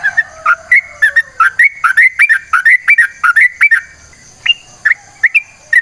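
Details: Yellow-vented bulbul, known locally as trucukan, singing in long unbroken runs for use as a lure: rapid bubbly whistled notes sliding between low and high, repeated several times a second, ending in sparser upslurred phrases; a faint steady high hiss underneath.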